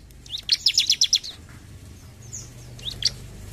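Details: Bar-winged prinia singing actively in the "gacor jump shoot" style: a quick run of about six bright, sharp chirps, then a pause and a couple of fainter high notes, with a low hum underneath.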